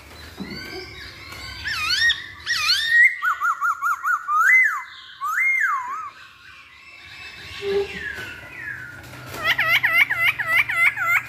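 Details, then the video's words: Lure song of a masked laughingthrush for making birds sing: a series of clear, wavering whistled notes repeated about four per second, a short quiet gap, then a faster run of looping rising-and-falling whistles. "Pancingan Poksay Hongkong Paling Ampuh"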